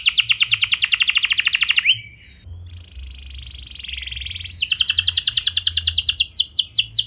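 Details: Canary singing to prompt other canaries: a fast high trill, a softer sustained buzzy tone, then another rapid rolling trill with swooping notes.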